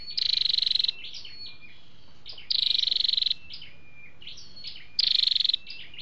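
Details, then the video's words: Flowerpecker (chim sâu đầu đỏ) recording with male and female calls, meant to draw in wild birds or fire up caged ones. Three quick high buzzy trills, about two seconds apart, with faint sliding whistles between. "tiếng chim sâu đâu đỏ"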